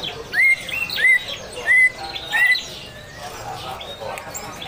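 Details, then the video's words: Greater green leafbird delivering its harsh besetan song against the sound of trickling water: four loud hooked whistles, each climbing then flattening, spaced roughly half a second apart, followed by quieter twittering. "Burung Cucak Hijau Gacor Bunyi Besetan Kasar"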